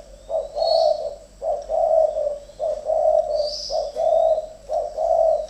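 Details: Spotted doves, two caged decoys fighting, coo steadily in hoarse, low phrases. A short introductory note leads into a drawn-out rolling coo, roughly once a second. Faint high hissing chirps appear twice.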